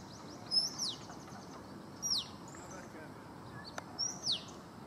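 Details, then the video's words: A male Oriental magpie-robin imitates a red-whiskered bulbul with three loud, high, sweet whistled phrases about every two seconds, with faint chirps and a soft outdoor hiss behind. "Oriental Magpie-Robin mimics Red-whiskered Bulbul"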